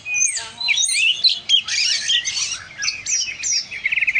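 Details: Oriental magpie-robin, described as a lively, loud singer, pouring out a rapid jumble of high whistles, chirps and trills with sliding notes and a fast trill at the end.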